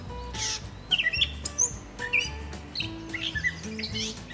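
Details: A loud Gray Catbird in Minnesota in early June gives a jumble of short, squeaky, high chirps and a thin whistle in scattered bursts over steady background music.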